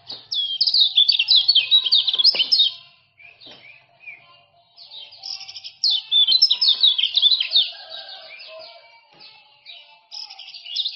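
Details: Male common iora of the Lombok type, used to tutor and lure other birds: two long, loud bursts of fast tumbling high chirps, with scattered softer notes in between and another burst starting at the end.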